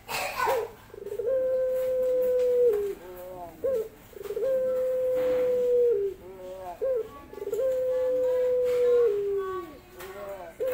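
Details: Moaning call of a male dove seeking a female: three phrases, each a brief opening note followed by a long level tone that sags at the end, spaced roughly three seconds apart, clear and close.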